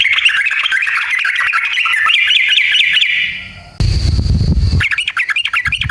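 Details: Sooty-headed bulbul in long 'ngalas ropel' singing, used to rouse other bulbuls to sing. It opens with fast, chattering repeated notes that fade, then a loud burst of noise, then the chatter resumes.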